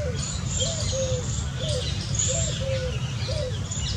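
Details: Indian scops owl, one of a family of five enjoying water in hot summer weather, gives soft low tonal hoots in pairs, a short arched note then a longer level one, repeating about every second over faint high chirps and a steady low hum.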